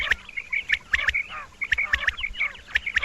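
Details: Female quail calling at night, short sharp notes near the same pitch given in quick runs, separated by brief pauses, with scattered clicks and ticks behind.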